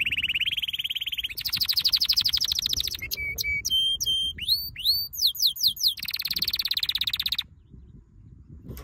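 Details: Canary training song: rolling trills, a string of flat whistles and looping upslurred notes, another fast trill, then quiet.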